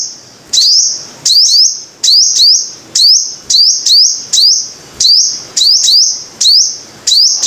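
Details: Five-coloured sunbird song of piercing high chips, each sweeping up into a sustained ringing tone, repeated steadily about every half second with occasional doubled notes; a quiet hiss sits underneath.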